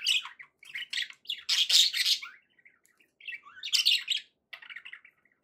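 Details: Budgerigar pets chattering happily: grating, buzzy squawks and thin chirps in two loud bursts, with quieter clicks and twitters between them.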